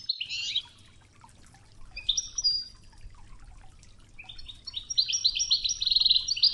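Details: Wejdani-style 'toughza' training song of a European goldfinch with river water sounds: an opening twitter, a brief pause, a short trilled phrase, then a lively, rapid run of repeated metallic notes.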